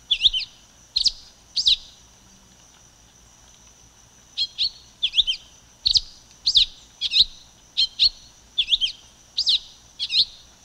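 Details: Silver-beaked tanager with two chirps, a pause of a couple of seconds, then a quick run of sharp, slightly buzzy chirped notes repeated about every half second, against a faint continuous high hiss.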